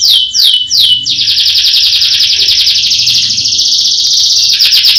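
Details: Roll-style canary song: three quick descending whistled sweeps give way to a sustained, dense rolling trill held steady for about four seconds, loud and continuous.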